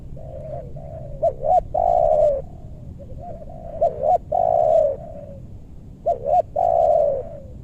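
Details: Spotted dove calling at a bird-luring spot in meranti woods, west Bogor, Indonesia. Three full phrases of deep, hollow cooing, each a soft lead note, a rapid doubled note, and a loud sustained falling coo.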